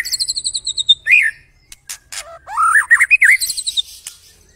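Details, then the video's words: White-rumped shama singing a master song meant to spur other birds to sing: rapid high trilled note series, abrupt sharp clicks, then a rich warbled phrase of fluid rising and falling whistles. "Masteran murai batu"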